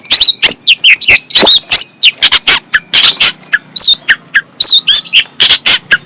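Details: Long-tailed shrike, called fierce, singing a fast loud medley of scratchy squawks and sharp slurred whistles, closely packed and irregular.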